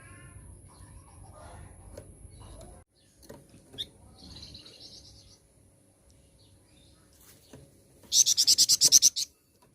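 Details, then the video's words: Flowerpecker song used as a lure to provoke other birds: after several seconds of low rumble, faint twittering and a soft trill, a loud burst of about nine sharp, very high chips closes the recording. "Pancingan Burung Flamboyan Mana saja"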